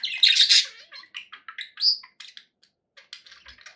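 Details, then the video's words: A loud burst of squawky chatter from happy budgies, then a string of short, quick chirps and squeaks about four per second. "happy budgie sounds"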